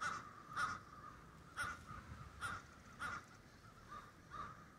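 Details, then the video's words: Crows in a murder roosting through Denver snow give loud, harsh caws roughly once a second, each burst standing out over a softer murmur of distant calls. "Murder of crows roosting in the Denver snows"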